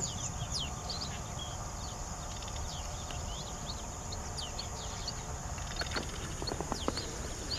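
Streaked weavers give a steady scatter of thin, squeaky chirps and short slurred notes over a low rumble.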